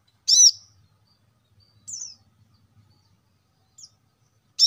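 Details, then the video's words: Plain-throated sunbird, known locally as kolibri kelapa, wiceh or manggar, whose chirping is played to lure lazy caged birds into singing: short high, sharp notes in bursts, one at the start, then sparse chips over silence. "kolibri kelapa | wiceh | manggar | cuitan korlap gacor untuk burung agar cepat rajin bunyi gacor"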